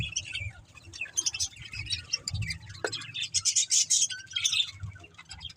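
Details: Chirping budgerigars give scratchy, rapid twitters and sharp squeaks, louder and busier in the second half, over faint low background rumble.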